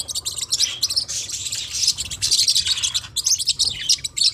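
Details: Forpus parrotlets twittering in fast, overlapping high chirps, a continuous busy chatter with brief gaps.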